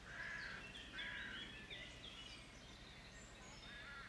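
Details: White stork chicks on their nest at feeding time, close to fledging; a few drawn-out, nasal, harmonic calls with a steady background hiss.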